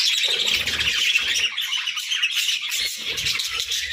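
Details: Pet budgies in the morning: rapid, irregular chirps and squawky tweets crowd together in a lively chatter, with soft low fluttering sounds in the first second and a half.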